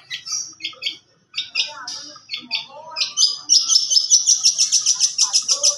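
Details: Song of a young long-tailed shrike with a varied repertoire. It opens with scattered paired chirps and short warbles, then breaks into a fast, even trill of high repeated notes.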